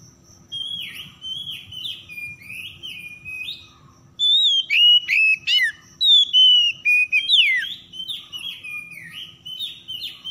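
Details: Oriental magpie-robin lure song for birds that will not sing: a series of soft falling whistles, then a loud rapid sequence of sharp whistled and chattering notes, ending with more sliding whistles.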